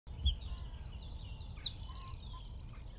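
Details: A Eurasian wren, singing from a tree at Wicken Fen about 15 m away, gives a loud, rapid string of high, sharp notes that runs into a fast, dry trill within about three seconds, over a low hum.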